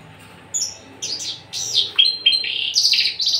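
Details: Javan bush lark, a tame caged male without a ring, singing vigorously. Bursts of scratchy high notes build into fast, jumbled, buzzy phrases with sharp clicks and rasping trills.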